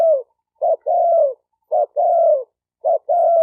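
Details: Spotted dove call used to stir up male and female decoy birds: three low phrases, each a short clipped note then a sustained, gently descending coo, repeated roughly every second, over silence.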